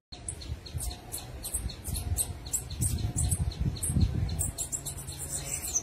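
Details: Wild orange-headed tanager (Thlypopsis sordida) in song, giving quick high-pitched chips and tweets, nearly three per second, slightly irregular, with constant low-frequency rumble underneath.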